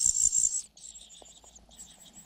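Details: Cuckoo chick begging from a foster mother; a loud, thin hissing call for half a second, then fainter wavering high notes trailing off.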